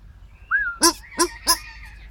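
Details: Paradise shelduck calls: a thin rising whistle, then three loud harsh honks about a third of a second apart, over low background rumble.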